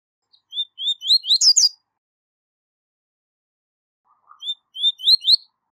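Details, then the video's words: Double-collared seedeater singing the 'tui tui zel zel' style used to train young seedeaters: a run of clear rising whistles ending in a harsh buzzy burst, given twice within six seconds. "Canto Tui Tui Zel Zel De Alto Nível - Canto Ótimo Para Encarte De Coleiros e Papacapim"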